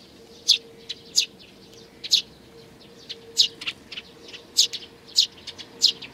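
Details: A balding sparrow with nestlings, 8 May 2019: an irregular run of high chirps, some in quick pairs and others alone, loud ones mixed with softer ones, over a faint continuous low hum.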